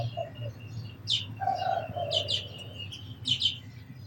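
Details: Sparse, high sparrow chirps arrive in doubled bursts, separated by a stretch of lower, smoother warbled notes from another bird, all over a low background hum.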